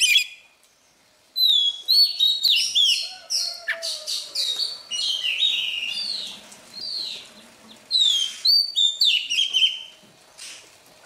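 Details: Newly caught wild Oriental magpie-robin singing in the morning to warm up its voice: a rich, varied run of rapid whistled and chirping phrases, many sliding down or swooping, delivered in bursts separated by brief pauses, with a faint low hum beneath.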